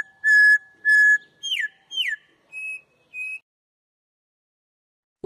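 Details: Campo troupial, known in Brazil as corrupião, giving a whistled song style: two long steady flat whistles, then two downslurred notes and two shorter level whistles, each phrase separated by brief pauses, with a sharp click at the end.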